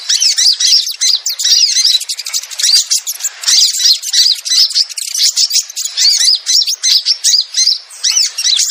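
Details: Sogon lure call to attract reluctant wild sogon: a long, steady stream of shrill twitters and chirps from several overlapping voices, pulsing in short bursts.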